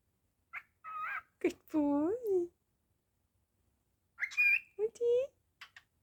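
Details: Male pet cockatiel indoors imitating human speech, with harmonic, voice-like syllables that bend and glide, sharp clicks, and a short high whistle between phrases in a quiet small room.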